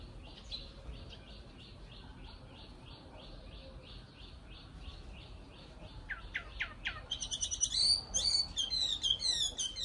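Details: Nightingale singing over steady background noise: a faint series of evenly repeated chirps, then a few sharp notes and a sudden loud, rapid, rattling burst of high-pitched notes.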